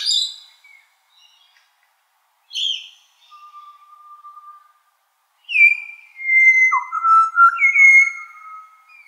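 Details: Pied butcherbird from Australia singing loudly in the morning. Short whistles and a soft, low held tone are followed by a rich run of flute-like notes that glide and then hold steady.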